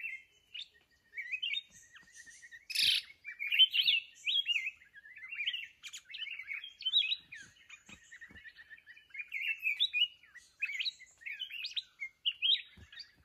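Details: Wild mountain red-whiskered bulbul drawn in during trapping with a decoy bird: dense, continuous warbling of quick whistled and chattering notes, rising and falling, with short bursts and brief gaps throughout, plus a few faint clicks.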